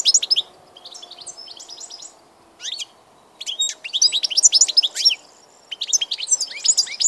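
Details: European goldfinch on 16 March 2014 gives several bursts of jingling, high-pitched twitters separated by short gaps, with soft chattering between them.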